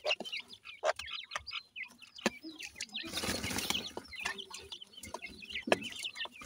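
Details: Young black francolins in Pakistan, called dakhni teetar, feeding in captivity; short high peeps over steady pecking ticks, interrupted by a loud burst of wing-flapping or scuffling.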